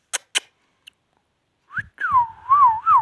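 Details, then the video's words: Indian ringneck parakeet talking: two sharp clicks and a faint tick, a pause, then from under two seconds a run of clear, wavering whistled phrases that bend up and down like speech, with no other sounds. "ringneck |talking"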